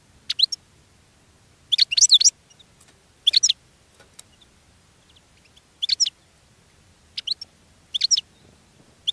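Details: European goldfinch in a cage, singing and attracting other goldfinches: bursts of high liquid twitters spaced one to two seconds apart, against quiet low-pitched noise.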